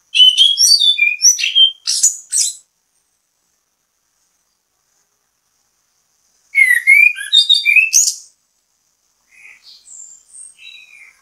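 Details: Orange-headed thrush (anis kembang) singing actively, a bait song meant to get other thrushes singing: rapid varied bursts of sharp whistles and chirps, two dense phrases separated by a long silence, then softer scattered notes.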